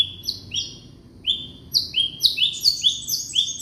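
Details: Young white-rumped shama from Indonesia, sung to coax quiet shamas into song: a series of high, sharp, upward-slurred whistled notes that come faster and overlap toward the end.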